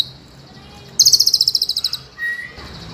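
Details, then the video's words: White-rumped shama (murai) master song in the ngeroll nembak style, used for training other birds: a quick burst of about a dozen high, sharp repeated notes fading over a second, then a short thin whistle amid quiet background hiss. "BURUNG MURAI MASTERAN NGEROLL NEMBAK"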